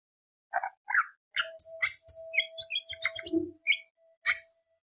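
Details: Greater green leafbird (cucak ijo) in full varied song: quick run of chirps, sharp whistles and buzzy notes jumping between pitches, with a steady low hum running underneath.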